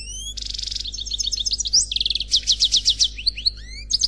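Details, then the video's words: European goldfinch song in the khalwi style from an unmated male: a fast, varied run of bright high twitters, buzzy trills and rising whistled notes, with quick repeated chirps strung together for four seconds. "Chant Chardonneret Khalwi Célebataire"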